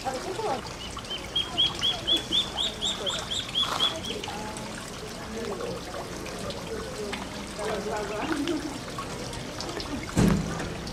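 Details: Call duck ducklings, sunbathing and bathing in water, give a run of about ten high, clear peeps in quick succession; a woman talks softly and water trickles in the background.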